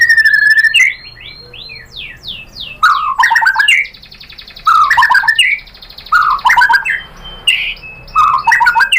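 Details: White-rumped shama lure song to provoke a reply: a run of downward whistled slurs, then rich bursts of jumbled warbled and chattering notes separated by brief pauses.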